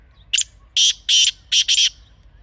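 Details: Black francolin (kala teetar) calling in a natural setting: a short clipped note, then four loud, harsh, grating notes in two pairs, the whole phrase lasting under two seconds over a faint low hum.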